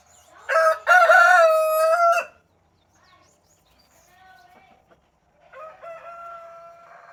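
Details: Brahma rooster crowing in the morning gives one loud, hoarse crow of about two seconds, held level and then cut off, followed by a softer, shorter crow in the distance.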